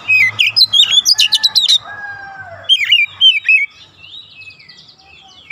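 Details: Training song of an oriental magpie-robin meant to bring young birds to rapid singing: quick whistled slurs and dense ticking trills, then long level tones and softer descending phrases, over a faint low pulsing hum.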